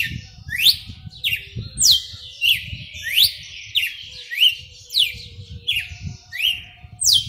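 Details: Red-cowled cardinal performing its 'açoite selvagem' song, a kept bird: bright whistled phrases pairing flat tones with steep rising slurs, repeated steadily with short gaps, some low rumbling noise in the background.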